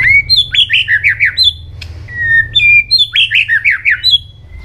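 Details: White-rumped shama singing a fast, intense training song: a rising whistle leading into a rapid jumble of warbled, descending notes, a long whistle, then the whole phrase repeated over a low hum.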